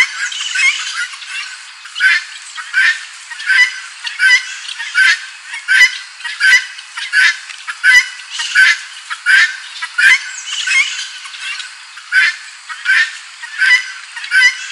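Helmeted guineafowl giving harsh, grating two-part cries, repeated more than once a second in a steady rhythm, loud and raspy throughout.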